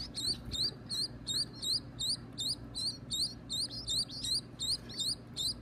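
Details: Baby birds at feeding time give evenly spaced, bright, double-noted rising squeaks, almost three per second, steady and insistent throughout.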